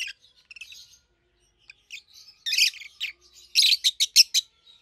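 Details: Soft twittering from a pair of 7-8-month-old captive-bred peach-faced lovebirds, red-headed green opaline and red-faced dark green, builds into a run of loud shrill chirps repeated quickly at the end.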